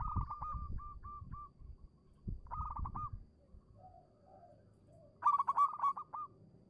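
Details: Local zebra dove song, played as a lure to get quiet doves singing: three rapid bursts of short, staccato cooing notes separated by pauses, with low thumping background noise beneath the first half.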